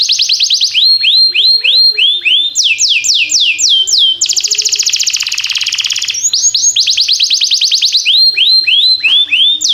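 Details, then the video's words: Training song of a canary, timbrado type: repeated downward-swept whistles in quick phrases, a dense buzzing roll near the middle, then more rapid descending notes, loud and continuous throughout. "Cantar canário faz seu canário cantar"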